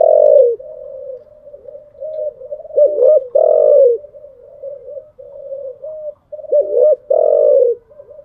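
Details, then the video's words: Morning cooing of spotted doves kept by bird hobbyists; low throaty coos run almost without pause, loud bursts of deep rolling notes breaking in every couple of seconds. "Tiếng chim gáy buổi sáng"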